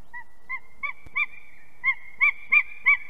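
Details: Two unringed adult eagles arriving and mating at their nest in Ķemeri, Latvia, 6:01 am on 8 March 2024; spaced, clear yelping notes with a faint sustained tone between them, rising in loudness, with a single soft click.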